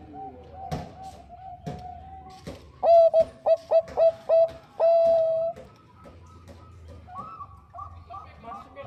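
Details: Female Bangkok zebra dove calling to the male, used to lure birds into song. Five short, bright coos in quick succession end in one long drawn-out note, amid soft background rustle and faint cooing.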